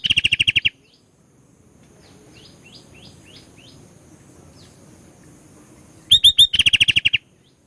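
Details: Sooty-headed bulbul (kutilang) in energetic song full of isian filler: quick runs of rapid, evenly spaced high notes at the start and end, with a few soft chirps between.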